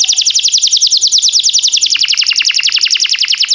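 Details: Canary song for training canaries, timbrado style: a very rapid, regular trill of short descending notes, about eight per second, held throughout with slight shifts in pitch.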